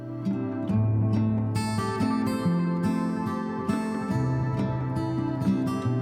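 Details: Acoustic guitar music plays throughout, plucked and strummed notes with steady low tones, and no animal voices can be picked out.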